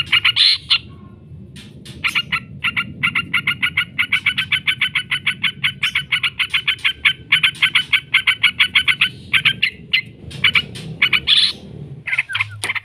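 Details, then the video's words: Yellow-vented bulbul in long 'ngekek' chattering song, used as a lure to provoke other bulbuls into answering: a fast, even run of sharp, bright notes repeated several times a second, broken by brief pauses, with a low background rumble. "trucukan gacor ngekek panjang sekali pancing jadikan burung trucuk sekampung emosi nyaut"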